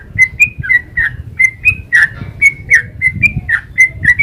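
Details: Sooty-headed bulbul singing a long, lively ropel-style song: rapid whistled notes, each sliding or dipping, repeated about three or four per second in a steady stream, with a low rumble beneath.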